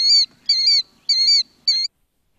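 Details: A Killdeer, a common shorebird, gives four shrill, high, clear notes about half a second apart: the insistent alarm call it often uses when predators approach its nest. Nothing else is heard.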